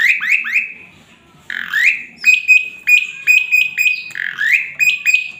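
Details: Singing male Asian pied starling with a rich repertoire, used as a master song: three quick rising whistles, a silent gap, then clipped whistled notes repeated about every half second, mixed with slurred upward phrases.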